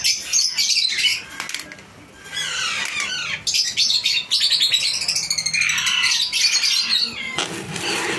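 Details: Alexandrine parakeet chick during hand-feeding, crying in loud, grating begging calls that come in quick pulsing runs, briefly pausing before starting again.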